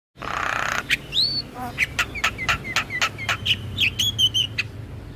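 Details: Starling (jalak) used as a lure bird to spur silent captive starlings into singing: a short broad hiss burst, then a rising whistle and a rapid run of about a dozen sharp, chirpy notes.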